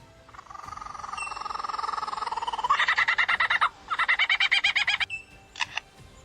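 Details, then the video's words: Superb lyrebird of Australia mimicking other sounds: a steady, droning whistle gives way to fast, bright, mechanical-sounding bursts of pulses, then a few short final notes. "Dieser Vogel imitiert die Geräusche von Kettensägen, Polizeiautos usw -Superb Lyrebird"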